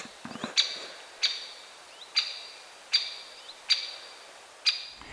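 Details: Great spotted woodpecker giving six sharp, high 'kik' calls about a second apart against a quiet background. This is its call, heard more after April when drumming fades, and usually given as it flies from one tree to another.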